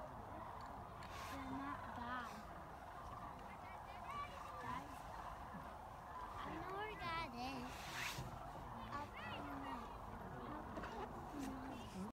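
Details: A chorus of sandhill cranes at Jasper-Pulaski gives loud, rolling, trumpeting rattles that overlap continuously from many birds, over a low background rumble.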